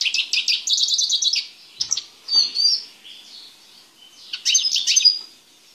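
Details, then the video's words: A caged male Eurasian siskin being prepared for breeding opens with a fast burst of high repeated chirps, then gives scattered softer slurred notes and a wheezy phrase, ending with another twittering flourish. "Carduelis Spinus Song"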